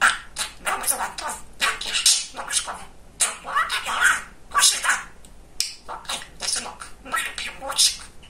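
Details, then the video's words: Very chatty male pet budgerigar talking: rapid, scratchy, speech-like babbling in short bursts of clicks and buzzy syllables, continuing in quick runs with short gaps. "Самый Говорящий Попугайчик"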